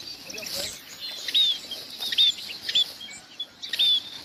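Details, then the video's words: Munia calling to its flock, giving sparse, thin, high whistled notes, each slightly falling, about four over four seconds against a soft hiss. "Tiếng chim ri gọi đàn"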